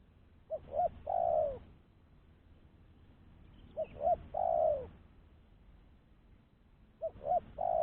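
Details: Spotted dove giving a call meant to lure wild doves: three phrases, each two quick short notes then a drawn-out descending coo, spaced about three seconds apart, with low background rumble.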